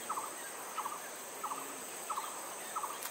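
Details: Jerdon's baza (Aviceda jerdoni), recorded at Rongtong, West Bengal, India in June 2022, giving short, mid-pitched double notes repeated about every two-thirds of a second over a steady high insect hiss.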